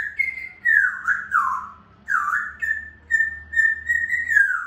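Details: Grey parrot, an African grey, whistling continuously in looping, swooping phrases that dip low and return to a steady high note, repeated without a break.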